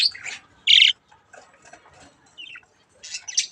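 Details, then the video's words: Young budgerigars playing with a mirror: a few short, harsh chirps and one loud buzzy squawk, separated by quiet gaps and soft scratchy chatter. "Budgies chick's mirror fun time"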